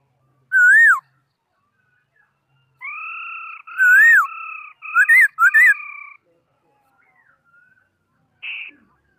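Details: Singing laughingthrush: a single arched whistle, then a long sequence of steady flat tones mixed with looping slurred whistles, followed by a brief buzzy note after a pause.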